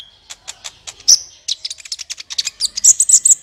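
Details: A lively sunbird song meant to prompt other birds to sing: a rapid, accelerating run of very high ticking and chipping notes that builds into loud, bright whistled notes at the end.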